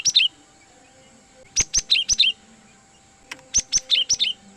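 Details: Cinereous tit lure calls meant to draw in wild birds for trapping: two groups of five or six sharp, high, downslurred chirps in quick succession, separated by about a second of quiet.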